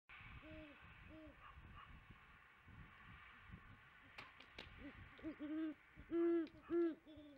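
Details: Great horned owl female at a tree nest at 5 pm, filmed by a live nest camera, with a male in the background and possibly a second female calling in the distance; soft, low hoots, then louder, deeper hoots repeated about once a second near the end.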